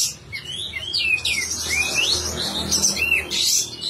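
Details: Sooty-headed bulbul, singing eagerly and spreading its tail, in a recording meant for training songbirds: a continuous stream of warbled whistles gliding up and down, ending in a short hissy burst.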